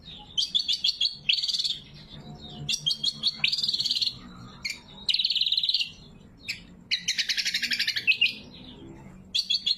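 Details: Natural, unedited greater green leafbird song used to train caged birds and call rivals: bursts of fast chattering notes and dense buzzy trills, repeated in runs separated by short pauses.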